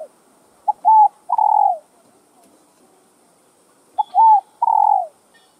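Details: Spotted dove (chim cu gáy) cooing with calling, urging and courtship coos, played to stimulate caged doves: two soft three-part coos, each a short note, a rising-falling note and a longer descending coo, about four seconds apart, in quiet surroundings.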